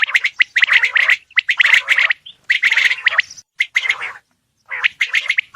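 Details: Male Coturnix quail calling: bursts of harsh, gargling, chattering notes about a second long, separated by short pauses, with no other clear sounds.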